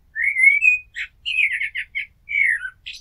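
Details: Common blackbird singing: a clear, mellow fluted phrase that rises and holds, then a fast run of short warbled notes and a falling whistle, ending in a thin high twitter. Background is quiet.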